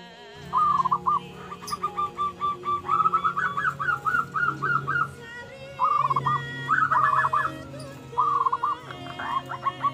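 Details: Zebra doves of the local ombyokan type, a lure and master sound for catching and training, give quick runs of short cooing notes at one steady mid pitch, grouped in bursts, over a constant hum of sustained musical tones.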